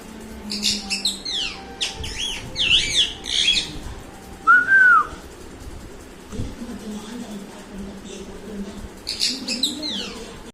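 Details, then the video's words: Angry parrot giving a series of quick swooping chirps in short bursts, one clear arched whistle in the middle, then more chirping bursts near the end, with low background murmur. "Angry Parrot"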